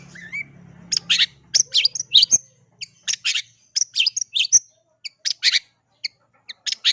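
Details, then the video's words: Long-tailed shrike singing vigorously: a soft whistle over a low hum, then dense bursts of harsh, scratchy chatter mixed with thin, high squeaks, run together with short gaps. "cendet mana yg gak oleng jika di adu dengan cendet ini"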